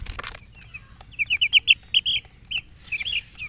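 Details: Baby chicks, thirsty for drinking water, giving a run of loud, high, short peeps, about a dozen in quick succession, then a few softer peeps; a brief rustle at the start.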